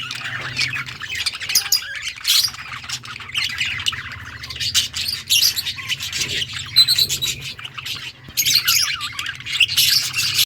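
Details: Yellow budgerigars, recorded August 6, 2024, chatter nonstop with dense, high, twittering chirps and scratchy warbles, rising in bursts, over a steady low electrical hum.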